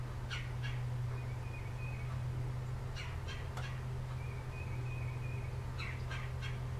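Red-bellied woodpecker giving harsh, rolling churr notes in three short bursts about every three seconds, over a steady low hum and a faint thin whine.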